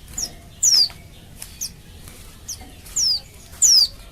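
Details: Female Oriental white-eye in breeding condition calling to males as a singing lure; a few clear high downslurred whistles spaced by pauses, with fainter similar notes between, about four strong calls in four seconds.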